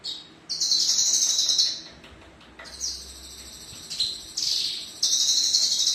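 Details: Caged male Javan bush lark delivering long, high, rapidly trilled buzzy strophes separated by short gaps, with a few upward-sweeping notes linking the phrases; steady, loud and clear against quiet surroundings.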